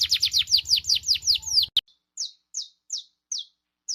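Saffron Finch song: a fast run of about a dozen sharp, high, downslurred chirps, then single chirps spaced roughly every half second, over a faint low hum.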